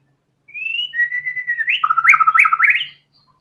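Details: Loud white-rumped shama song phrase opening with a rising whistle, then a flat whistled note and a fast series of swooping, bouncing warbles.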